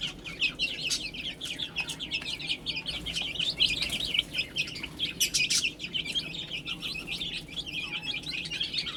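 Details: Chicks feeding and drinking together, their thin high peeps running nonstop and tumbling over one another, with faint rustling and occasional sharp clicks in the background.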